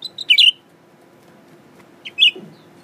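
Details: Caged male Blue-winged Leafbird, newly kept and unafraid of people, singing while looking at itself in a mirror: two bright, high chirped phrases with a short leading note, separated by a long quiet gap; faint steady hum behind.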